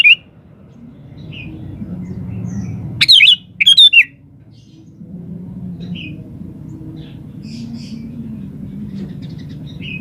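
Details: Lively chatty song of a sooty-headed bulbul, used to provoke replies from other birds: two loud burbling whistled phrases close together, with soft short chirps scattered before and after over a low hum.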